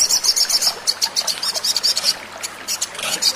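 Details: Sogon, the little spiderhunter, on a lure recording to prompt singing: irregular high, thin chip notes, some louder and sharper, with uneven spacing and background hiss.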